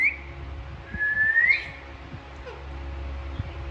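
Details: Alexandrine parakeets talking and playing: one long whistled note rising at its end, then a brief softer whistle, over a low steady room hum.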